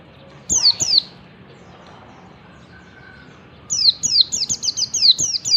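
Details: Oriental white-eye of the yellow-breasted type, wild, singing in the morning to stir other white-eyes; two high falling notes, a quiet gap, then a quick tumbling burst of thin downslurred whistles.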